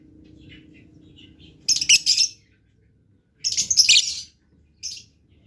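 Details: Blue lovebird giving three separated bursts of shrill, rasping, high chatter, two longer and one short, after a quiet start with faint low hum.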